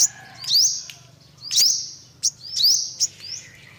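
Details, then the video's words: Olive-backed sunbird giving high, thin rising sweeps that flatten into sharp buzzy notes, a phrase about once a second, with short clicks between; quiet otherwise. "tiếng chim hút mật 5 màu bụng vàng"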